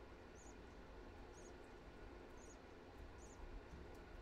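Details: A parakeet chick two hours old, being fed by its mother at 9:20 PM on 3.12.15, gives faint, thin, high peeps, about one each second, over a steady low rumbling background hum.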